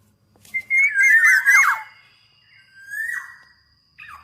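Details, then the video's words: Loud, pure whistled phrase of a black-naped oriole, twisting and dropping at the end, then a quieter drawn-out whistle ending in a downslur. A faint thin tone runs steadily behind. "Tiếng chim Vàng anh Gáy đen/ VA Trung Quốc ✅Black-naped Oriole(Oriolus chinensis) ✅นกขมิ้นท้ายทอยดำ"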